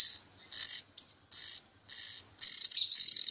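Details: Jalak rio-rio myna in vigorous song for training songbirds like cucak ijo and murai borneo: short harsh buzzy notes at half-second intervals, then a long continuous grating rasp.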